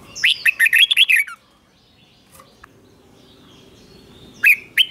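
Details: Red-whiskered bulbul in a cage giving a doubled song for young birds to copy: a quick run of seven bright, warbling whistled notes, then a long quiet gap and two short sharp notes near the end.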